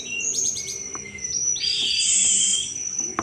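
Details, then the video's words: Chattering cetrekan song of a Sunda robin, a lure for thrushes: a fast run of high stepped whistles, then a long bright sustained whistle and rising slurred notes, ending with a couple of sharp clicks. "tledekan gunung gacor cetrekan cocok buat mancing segala jenis anis"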